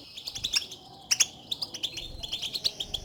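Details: European goldfinch contact calls, used to stir a silent caged goldfinch into singing: bright, high twittering chirps repeated rapidly in irregular bursts, with no other sounds.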